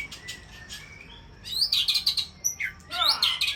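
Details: White-rumped shama of the Aceh type, described as champion breeding stock, giving bursts of bright, high chirps and rapid trilled notes after a quiet opening, with a few soft thin whistles early on.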